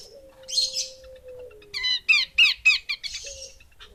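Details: A female Horsfield's babbler gives harsh chattering notes in an irregular run after a soft hiss, with a thin steady whistle tone earlier.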